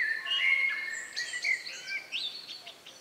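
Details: Birds singing in the countryside on an evening in May 2020, around 9 p.m., just before nightfall; overlapping whistled and trilled phrases between mid and high pitch, several singers at once.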